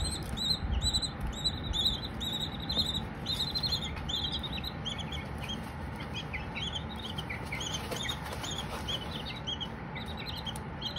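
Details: Baby Silkie chicks chirping with no human talking: several chicks give high, thin peeping notes in quick strings of three to five, overlapping at times, over a steady low hum and background noise.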